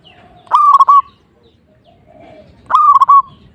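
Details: Perkutut, the zebra dove, cooing vigorously to provoke an opponent: two phrases about two seconds apart, each a sharp onset, a few stuttered hoots and a trailing held note.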